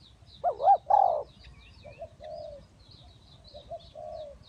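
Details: A Spotted dove used as a trapping decoy gives two loud, wavering coos, followed by quieter, drawn-out coos. High twittering from other birds sounds faintly behind.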